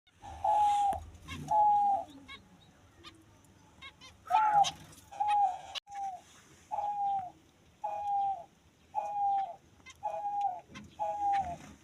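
A Diamond dove gives soft, mellow, slightly falling coos, each about half a second long, repeated roughly once a second, with faint clicks and rustles behind.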